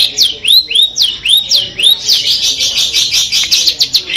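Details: Long-tailed shrike from Madura, 'Peterpan' style, performing 'full Armagedon' song material: clear upward-curving whistles repeated about twice a second, merging into a dense rapid run of high bright notes.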